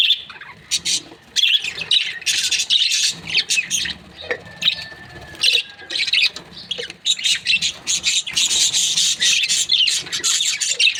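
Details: Budgerigars kept as breeding pairs chirp in bursts of bright, scratchy, high chatter, broken by short pauses and a few sharp squawks.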